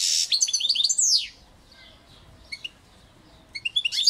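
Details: Song of a European goldfinch: a fast, tinkling jumble of high chirps and a long downward-sweeping slur opens, then fades. Sparse twitters follow before a fresh burst of twittering closes the phrase.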